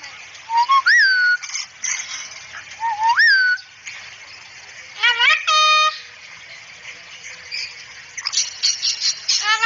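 A cockatoo gives two rising, slurred whistles, then a burst of harsh, ringing notes and a rapid, chattering run of talk-like sounds.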